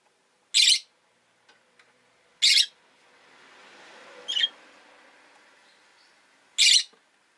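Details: Pair of rosy-faced lovebirds huddled at an entrance give three loud, rasping chirps and one softer, thinner call, over a low rumble of passing street traffic.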